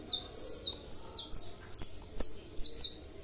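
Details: High, clipped chirps from a kept saffron finch in Brazil come in quick paired bursts, roughly every half second, each note sharp and slightly falling, over a quiet background.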